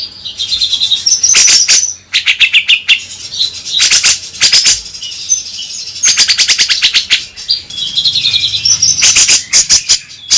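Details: Grey-cheeked bulbul (cucak jenggot) lure recording meant to make the bird sing actively; loud repeated bursts of harsh, rattling, broadband notes, the bursts separated by brief pauses, mixed with high whistled and chirping phrases.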